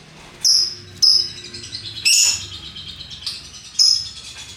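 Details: Lovebird, a hooked-bill parrot kept in a range of colours, giving its ngekek chatter: five short, harsh, buzzy bursts high in pitch, spaced about a second apart, over a quiet low background hum.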